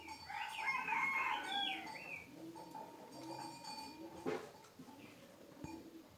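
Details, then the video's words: A kept bird sings a short burst of high twittering whistles for about two seconds, followed by softer notes over a steady, rhythmic low pulsing and light background noise. "Chim nuôi hót rất hay"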